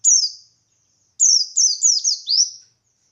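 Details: Buxtoni white-eye (pleci) giving ngalas-style gacor song used as a lure so other white-eyes reply: one high downslurred note, a pause, then a rapid run of four sweeping, squeaky descending whistles.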